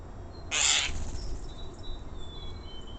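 A common starling gives a harsh, hissing rasp lasting half a second, followed by thin, high whistles over a low background rumble.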